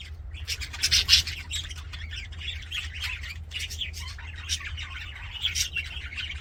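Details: Happy budgerigars in an aviary: dense, fast chattering warble of squawks and scratchy chirps, louder bursts near the first second and again around four and five and a half seconds, over a low steady hum.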